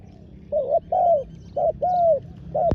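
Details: Spotted dove used as a ground decoy for wild doves, cooing steadily: paired phrases of a short hoarse note and a drawn-out coo, ending with a sharp click.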